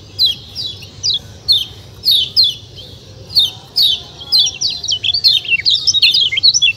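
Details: Kecial kuning white-eye calling in the open, 'ciak ciak' style: evenly spaced sharp descending chirps for several seconds, then a faster jumbled burst of high twittering notes near the end, low background hum throughout.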